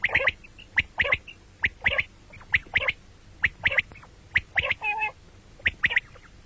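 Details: Common quail heard in morning and night calling: a steady series of short, sharp paired notes roughly every half second, with one brief nasal squawk in the middle.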